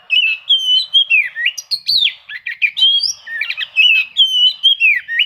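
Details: Oriental magpie-robin in full song, hunting for rivals, the kind of song played to goad silent birds into singing: continuous rich whistled phrases rising and falling, broken by quick scratchy notes.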